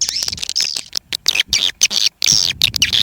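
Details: Dense, overlapping high twittering and buzzy chirps from swiftlets, in continuous bursts broken by brief gaps.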